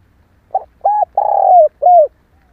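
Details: One phrase from a female spotted dove, a call used to stir males: a brief soft hoot, a level coo, a long rolling coo sliding downward, then a final falling coo. Otherwise silent.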